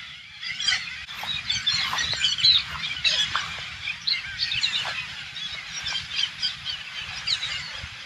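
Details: Hundreds of Alexandrine parakeets fill a farm in the Thailand countryside with a softer, more distant chorus of overlapping chirps and squawks, steady and busy, with no single bird standing out.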